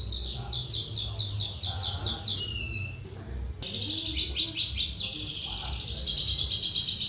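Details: Lark giving lively 'trotolan' song: long runs of quick, repeated, slurred notes falling in pitch, a brief break, then renewed bursts of rapid ringing trills and high chatter. Low rumble underneath.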